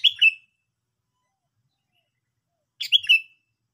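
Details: Sooty-headed bulbul heard in lure audio for trapping, giving two brief chattering phrases. Each phrase is a tight burst of sharp notes ending in a short downward slur, separated by nearly three seconds of silence.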